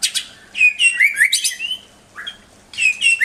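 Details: Song of a white-rumped shama, played to train pet birds to sing: quick slurred whistles and sharp chirps in dense phrases, a brief gap, then another burst of twisting notes; steady low hum underneath.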